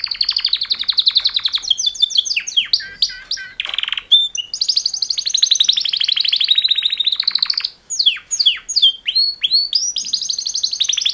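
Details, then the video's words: Two male canaries performing mating song, a long run of fast trills, sharp descending chips and rolling tours with short pauses between phrases, loud and high. "Super Two Males Canary Mating Call Songs"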